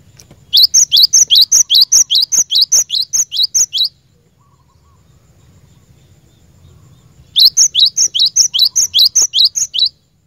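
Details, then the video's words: Cinereous tit used for training caged birds: long, rhythmic series of high, ringing upslurred notes, over a dozen per burst, in two bursts with a quiet pause between. "Burung Glatik Batu Pikat Gacor"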